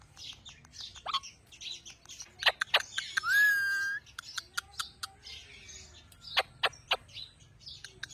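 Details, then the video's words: Pet talking parrot called Mian mithu: rapid clicks and short chirps, with a sustained level whistle lasting about a second in the middle, over soft high chatter. "Talking parrot. Mian mithu."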